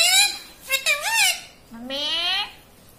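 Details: Indoor talking parrot said to speak "papa" and "mummy": a short scratchy utterance, then a wavering two-part phrase, then a long, steady, rising, strongly harmonic word, all high and nasal in tone.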